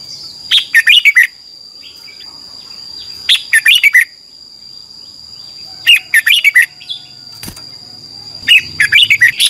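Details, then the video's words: Red-whiskered bulbul morning song for training wild-caught birds: four short, bright, chattering whistled phrases spaced about two and a half seconds apart, each a quick tumbling series of notes, over a faint constant high tone. "Luyện chào mào hót sáng, QUÁ HAY - CHÉ KÍCH BỔI CĂNG ĐÉT, luyện chào mào bổi hót căng lửa"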